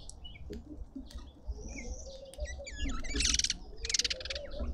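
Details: Red-winged starlings feeding in a Pretoria suburban garden, South Africa: thin whistles rise and fall, then quick looping notes give way to two loud, harsh buzzy bursts near the end. Low background hum throughout.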